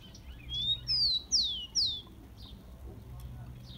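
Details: Rufous-collared sparrow in captivity singing, a warm-up recording for caged birds: one bright phrase of a short rising whistle then three loud, clean whistles sweeping downward, followed by faint soft notes.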